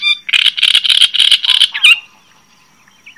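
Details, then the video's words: Java sparrow producing about six loud, rhythmic clucking notes in under two seconds, closing with a slurred note, then near silence apart from a faint chirp. "Suara Ocehan Burung GELATIK JAWA Untuk Pancingan Dan Masteran"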